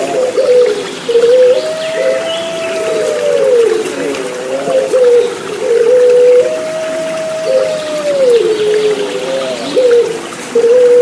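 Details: Barbary dove (Streptopelia risoria) gives low, mellow coos, each a long held note rising slightly then falling, about every five seconds over steady hiss and trickling water; played as therapy to get silent doves cooing.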